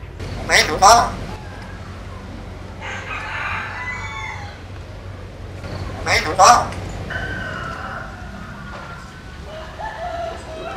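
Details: Common hill myna that talks like a person, giving two loud, rasping, speech-like outbursts about six seconds apart, with softer murmuring sounds and a steady low hum between.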